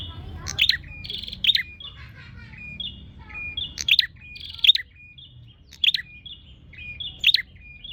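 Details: Calls of a Bar-winged prinia looking for a rival: clusters of sharp high chirps and thin whistled notes, with buzzy rattling bits between bursts, repeated unevenly throughout over quiet low background noise.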